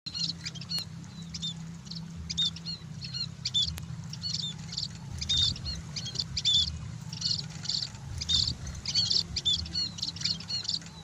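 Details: Scaly-breasted munia sunbathing, giving a busy stream of thin, high chirps and short whistled notes in quick, uneven bursts, with brief pauses, over a steady low hum.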